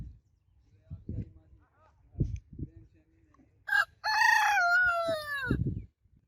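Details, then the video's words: Rooster crowing after scattered low knocks and rustles: a short note, then a long ringing crow that wavers and falls gently before a final thump. "Roosters Crowing Sound Effects Roosters Crowing Compilation"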